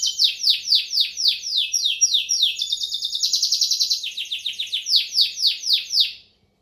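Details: Timbrado canary singing rapid repeated descending whistles, about three per second, broken midway by a dense buzzing trill before the falling notes resume and fade.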